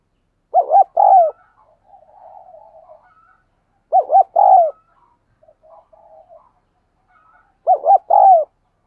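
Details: Spotted dove cooing in the quick 'thúc gù' style for training decoy doves and luring wild birds: three spaced phrases, each two arched hoots and a longer coo, about three seconds apart, with soft burbling between.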